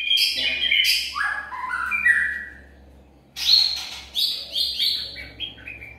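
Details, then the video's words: White-rumped shama lure recording with rich whistled phrases stepping downward, a short pause, then a brighter run of high, descending whistles and trills. "Murai batu pikat"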